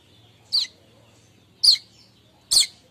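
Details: Three harsh, high chips about a second apart from a streaked weaver, its morning kemrecek chatter used to lure weavers, over a faint steady low hum.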